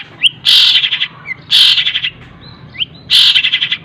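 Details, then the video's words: Long-tailed shrike, in a recording meant for teaching other birds, giving three loud buzzy rattling bursts, each preceded by a short rising whistle, about every second and a half. "CENDET ISIAN TENGKEK BUTO SPEED RAPAT SAMBUNG GREJA SAMBUNG KUNTI"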